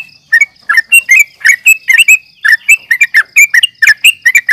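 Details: Combative calls of a yellow-vented bulbul, used for luring: a brisk, chattering series of sharp, rising and falling chirps, several per second, over a steady faint high tone.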